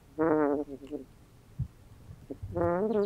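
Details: Young female Roman Tufted goose, not yet fully feathered, snoring at night in an indoor tub shared with two ducks: two drawn-out, wavering nasal tones with soft clicks between them.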